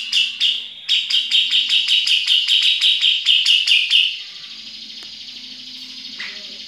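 Grey-cheeked bulbul giving a fast run of about fifteen sharp, bright 'pik' notes over three seconds, then stopping; steady background hiss follows.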